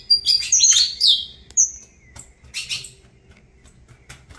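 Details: Saffron finch opening with a fast tumble of high whistled and slurred notes, followed by a long thin whistle and then scattered short chirps trailing off into near quiet.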